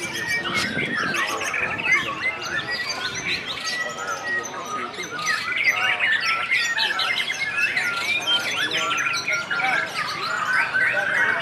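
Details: White-rumped shamas (murai batu) at a songbird contest pour out rich, varied whistles and rapid chattering phrases over a dense chorus of other birds, with a man's voice briefly at the start.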